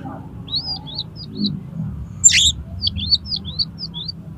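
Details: Oriental magpie-robin singing to challenge another magpie-robin to fight, tail spread, its song full of imitated phrases; thin high whistled notes, short and rising or falling, repeated in quick series with one sharper burst midway, soft background hum.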